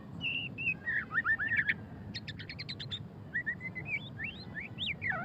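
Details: White-rumped shama (murai batu pastol) in ngeriwik style: wavering whistles, a rapid rattling series of sharp notes, then a string of rising, looping whistled phrases, over low background noise.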